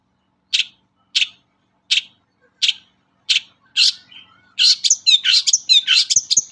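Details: Long-tailed shrike singing vigorously for use as a lure to get other shrikes singing: five evenly spaced rasping high notes, then a rapid run of varied, tumbling chattering phrases with sharp whistled inflections.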